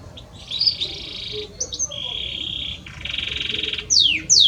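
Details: Belgian canary male singing to his female, delivering steady buzzy rolled trills at varied pitches, a short rattling phrase, and two sharp descending whistled sweeps at the end.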